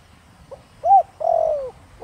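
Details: One phrase from a spotted dove in the 'thổ đồng' voice, used to lure wild doves: a soft pickup note, a clear arched coo, then a long, vibrating coo sliding downward.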